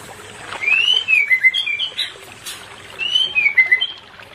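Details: White-rumped shama song meant to bring a non-breeding pair into condition: two loud rich phrases, each opening with a long upslurred whistle and ending in falling, warbled notes, with a gap between them.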